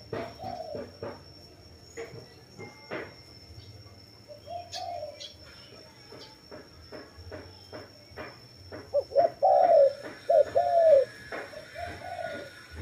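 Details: Dove with many scattered taps and clicks, soft coos early on, then a clearer run of low, falling cooing phrases near the end.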